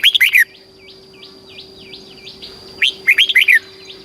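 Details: Caged red-whiskered bulbul, Thailand, southern master-style song meant to stimulate birds and teach chicks. Two loud bursts of rapid, rich whistled notes frame a string of soft, repeated dipping whistles from another bird.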